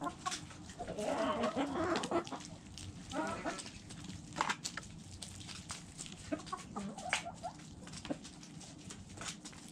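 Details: Eating chickens with rapid, irregular pecking ticks, a cluster of soft clucks early on, then quieter scattered taps over steady background noise.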